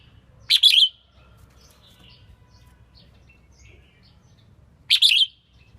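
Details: Selected female red-whiskered bulbul, whose song rouses males being trained; two cheerful three-note warbled phrases roughly four and a half seconds apart, with quiet chirps and low hum between.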